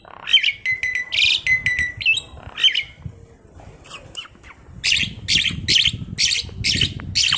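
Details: A tame, chatty Asian pied starling serves as lure material for training other birds. Whistled phrases and metallic notes open, followed by bursts of harsh, scratchy chatter with a faint low hum behind.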